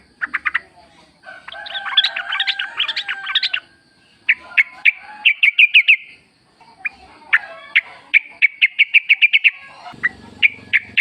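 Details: Sooty-headed bulbul recorded in the wild, used to coax caged birds into singing: a dense jumble of chattering notes, then long runs of evenly spaced bright chirps with short gaps between bursts.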